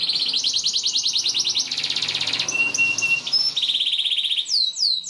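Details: Canary song meant for training young canaries: dense rapid high trills changing in speed, a steady whistled tone, a bright trill and final downward swoops.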